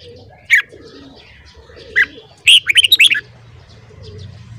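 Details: Red-whiskered bulbul singing in the morning to train other bulbuls' voices: two isolated sharp notes, then a rapid burst of six or seven liquid, warbling notes, over low background rumble and faint murmur.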